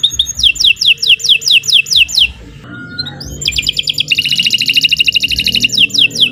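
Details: Canary singing as a lure to get other birds to sing: rapid series of downward-sliding whistles, a short pause, then a fast buzzy trill and more descending whistled notes, with faint low background rumble.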